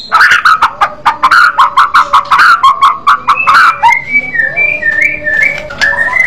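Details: White-rumped shama in an aggressive fighting style: a loud run of fast staccato notes, several per second, followed by softer wavering whistles sliding between pitches.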